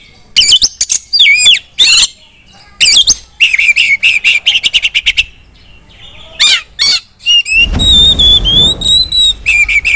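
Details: Female Oriental magpie-robin singing to draw other magpie-robins into song: rapid sharp chips and looping whistled notes in repeated bursts, then a long rising whistle over a rushing background hiss near the end.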